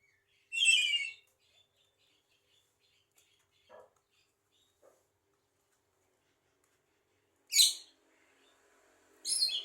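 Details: Talkative Javan myna that mimics speech and coughing: a loud harsh rasping burst, then a long quiet stretch with faint soft notes, and two more harsh grating bursts near the end.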